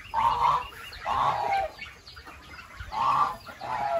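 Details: Goose with four separate harsh honks, each lasting about half a second, spaced roughly a second apart, over faint background noise.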